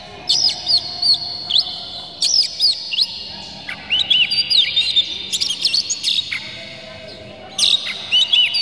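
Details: Oriental magpie-robin lure song with harsh, clear phrases meant to agitate birds into singing. Bright curling whistles and clicky chips come in repeated phrases, with a dense run of notes mid-clip.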